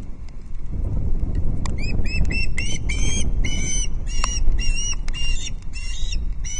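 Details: Osprey chick at Loch Arkaig on 19 August 2022, begging while being fed its second fish of the day: repeated high, thin chirps in quick bursts over a heavy low rumble of wind.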